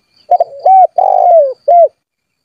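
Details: Gacor spotted dove calling to rivals so they sing back, a lure for wild birds: low cooing phrase opening with two clipped notes, then a steady hollow coo, a drawn-out rough coo sliding downward, and a brief final coo.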